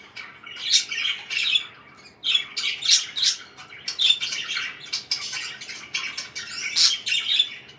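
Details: Several parakeets heard indoors giving busy, twittering chirps mixed with harsh little squawks. The notes come in rapid overlapping runs with a short quiet gap near the two-second mark.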